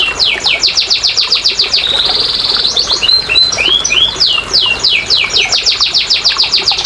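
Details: Canary song used to prompt quiet canaries to sing: fast repeated downward-sweeping whistled notes, a brief buzzy trill in the middle, then looping slurred notes and more rapid sweeping tours, about three to four notes a second.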